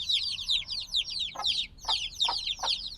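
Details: Recently hatched black chicks calling as a flock: rapid high descending peeps packed tightly, a short lull midway, then renewed chirping accompanied by a few dull taps.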